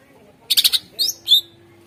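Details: Greater green leafbird lure song: a quick trill of four harsh buzzy notes, then two clear high whistles, one rising and one falling, played to urge silent birds to sing.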